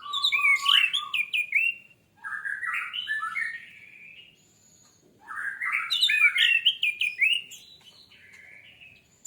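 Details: Orange-headed thrush song used to provoke fast singing: three long, loud phrases of fluid rising and falling warbles, each a couple of seconds long, separated by brief pauses.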